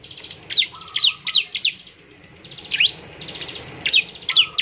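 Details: Bar-winged prinia singing actively, used to prompt other prinias to sing quickly: sharp, high, downslurred chirps in quick groups, alternating with short buzzy trilled bursts, plus a brief lower whistled note.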